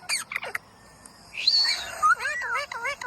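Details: A green parrot gives a few harsh clicks, then a drawn-out rising whistle and a bent whistled note, followed by a run of quick curving chirps.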